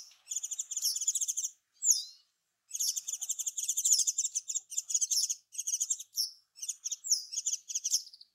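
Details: Japanese Wagtail, a waterside and farmland bird, pouring out long loud stretches of fast rattling, buzzy trills, punctuated by a few sweeping slurred notes and brief silences, clearly in the foreground.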